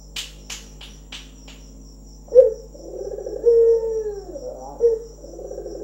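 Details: Local Barbary dove, a trained bird, cooing: after a few sharp clicks, a short rolled note leads into a long, low, gently falling coo, then another rolling phrase.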